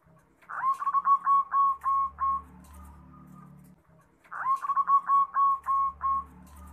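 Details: Local zebra dove singing, meant as a lure to make other birds reply within seconds: a rough opening note leads into a rapid series of clear, bell-like whistled coos, repeated twice with quiet humming between phrases.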